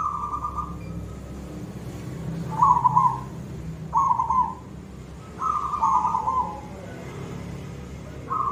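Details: Zebra dove, silver variety, singing koong-style: an opening held coo, then separate trilled bursts roughly every one and a half seconds, each fading into a lower note, with low hum underneath.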